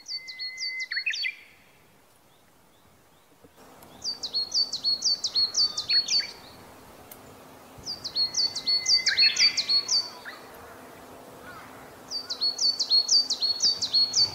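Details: Coal tit in inland Kita-Harima, Hyogo, Japan, in summer-bird season, sings bright, high phrases of quick repeated "chii-chai" notes, bursts of five or six lasting about two seconds with short pauses; its song pattern changes.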